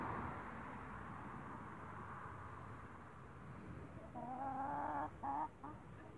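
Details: Four Brahma hens feeding on grass in a backyard; after a steady low background hum, a few short harmonic clucking notes come near the end, two or three in quick succession.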